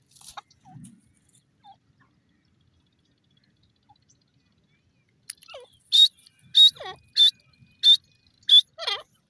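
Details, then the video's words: Francolin giving a fast run of shrill, sharp piercing notes repeated roughly every half second, after a mostly quiet opening with a few faint soft sounds. "teetar ki awaz,teeter bird ki sound"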